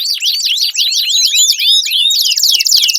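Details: Canary song used to coax a quiet canary into singing; rapid swooping notes shift into a dense, buzzy high trill toward the end.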